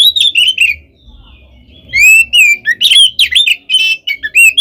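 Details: Oriental magpie-robin (kacer) in full fighting song, played as bait to rile other birds: bright whistled slurs, a near-silent gap of about a second, then rapid varied whistles and harsh chattering notes.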